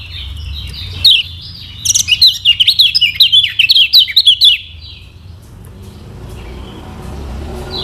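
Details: High, quick warbling from a lemon-bellied white-eye of Lombok, played to teach birds to sing and to rouse lazy singers. A jumbled burst of thin zigzag notes lasts about three seconds, then gives way to faint background hiss.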